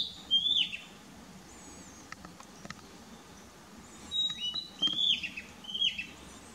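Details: Narcissus Flycatcher at Mukaiyama Park, Esashi, Oshu, Japan, on 12 May 2017, giving short, bright whistled notes in small clusters every second or so, with fainter high twitters and a soft background hiss.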